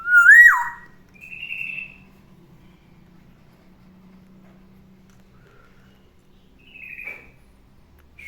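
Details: Morning song of a pet black-naped oriole kept in a cage: one loud liquid whistle rising then sliding down opens the recording, followed by a shorter buzzy note and a long quiet stretch with faint hum.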